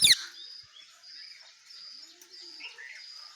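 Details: Parrot noising loudly: one sharp, harsh squawk at the start, then faint scattered chirps over a steady high buzzing drone.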